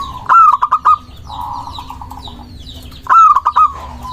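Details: Local zebra dove song used to lure doves and provoke rivals into answering: a low cooing phrase ending in a rapid run of short notes, repeated twice, over a steady low hum and faint chirps of other birds.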